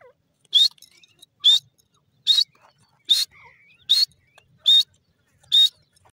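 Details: Grey francolin calling in the morning, loud short piercing notes repeated at a steady pace of roughly one per second, with quiet gaps between.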